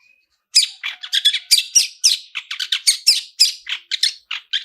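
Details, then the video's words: Long-tailed shrike lure song in the "toet toet" style: a dense, rapid medley of raspy chatters and sharp whistled notes, barely pausing, after a brief faint tone. "SUARA TOET TOET SAMBUNG ISIAN MEWAH DIJAMIN LANGSUNG ON, PANCINGAN CENDET GACOR ISIAN MEWAH"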